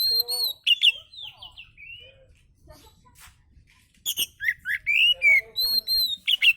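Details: Oriental magpie-robin song played to lure other birds: high whistled notes and downslurs, a quiet gap, then a fast lively string of sharp clicks and bright rising whistles.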